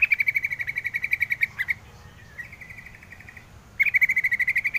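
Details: Yellow-vented bulbul giving a rapid chattering series of sharp, ringing notes, pausing with a softer brief trill, then bursting back into the same fast repeated notes.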